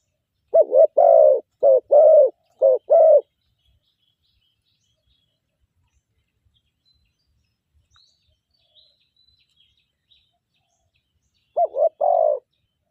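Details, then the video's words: A captive spotted dove used as a decoy to lure wild doves, singing in the morning. It gives a short burst of clipped, rhythmic coos, falls silent for several seconds, then starts another cooing phrase. "ต่อนกเขาใหญ่เจ้าหมูป่า เช้านี้จัดเสียงกลางลงเล็ก นกเชลยสวยมาก"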